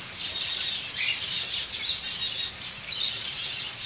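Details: Zebra finches in an aviary, where a chick preens its father while another pair nests below, the male nest-building and the female incubating or resting; a rapid stream of high, thin chirps, ending in harsher buzzy, nasal notes.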